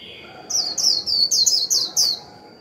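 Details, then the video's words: Decoy Japanese white-eye singing a moderate 'líu' song to stimulate other birds to sing: six quick, high, descending whistled slurs in a row, each bright and sharp, over a faint steady high tone. "Khuyên mồi líu vừa phải kích bổi líu ngay!"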